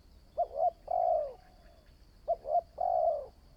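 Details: Newly trained decoy spotted dove giving two cooing phrases about two seconds apart, each two brief notes followed by a long smooth low coo, against a faint constant high whine.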